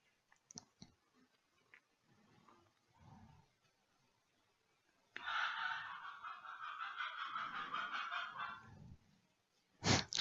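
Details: A rooster crows at midday somewhere in the background in the south of France: one long, harsh, drawn-out crow of about three and a half seconds. Faint murmurs come before it and a sharp knock follows.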